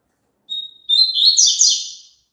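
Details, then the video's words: Double-collared seedeater, its song played for a papa-capim to sing along: a long level whistle, a brief pause, then a rapid warbling, buzzy flourish of high notes that trails off. "COLOCA ESSE CANTO PARA SEU PAPACAPIM CANTAR JUNTO"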